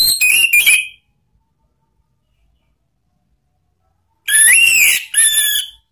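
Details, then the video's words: An Orange-headed Thrush gives two bursts of loud, rich whistled phrases with sharp rising and falling notes, separated by about three seconds of silence. "ANIS MERAH BUNYI NGEPLONG ¦ PANCINGAN KICAUAN ¦ NGERIWIK"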